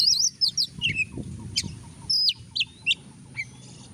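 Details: Oriental magpie-robin in lively, frequent song, used as a lure to make a lazy bird sing: clear whistled notes, sliding and looping phrases, short chirps and clicks in quick succession, over a steady high electronic whine and faint low rumble.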